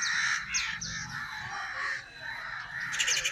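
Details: Crow cawing: harsh, hoarse caws in short bursts among general outdoor noise and a low background rumble, with a brief higher chatter near the end.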